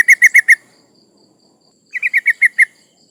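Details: Breeding female yellow-vented bulbul calling to males, used to lure rival birds: four quick bright chattering notes, a pause of over a second, then a faster run of six or seven similar notes.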